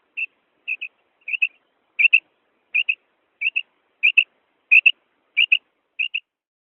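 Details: Female quail call series: a string of short, clean whistled doublets repeated about one and a half times per second, steady pitch, starting softer and firming up, with nothing else audible.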